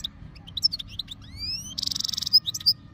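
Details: European goldfinch ready to mate, Jijel, Algeria, 2025: scattered sharp chips, then a few smooth rising whistles, then a dense buzzy rattle, ending in bright squeaky notes.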